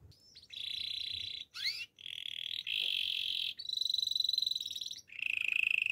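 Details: A male canary sings a series of steady, high rolling trills, each held for about a second. Between them come quick rising and falling sweeps and a brief pause before a brighter buzzing trill.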